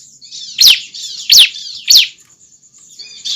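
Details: Bar-winged prinia young calling with three evenly spaced, piercing chirps sweeping downward, followed by soft twittering notes.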